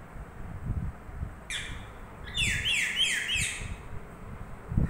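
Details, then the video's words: Pet parrot in a sleepy mood, said to be talking in Tamil: after a single high note, a run of quick squeaky descending notes repeats four times in close succession, with low thumps and handling noise in the background. "தூக்கத்தில்😴 தமிழ் பேசும் பச்சைக்கிளி🦜|sleepy 😴 parrot 🦜 talking in tamil"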